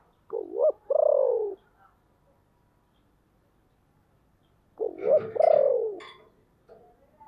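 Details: Spotted dove used as a decoy bird, calling with a deep, hoarse voice to lure wild birds. Two rough, husky coo phrases, each a short note followed by a longer drawn-out one, separated by a pause of about three seconds.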